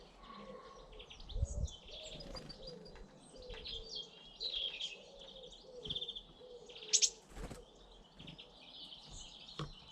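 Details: British garden birds singing, with several chirping and whistled phrases between 2 and 8 kilohertz scattered through the recording, some brief louder notes, and a low steady hum underneath.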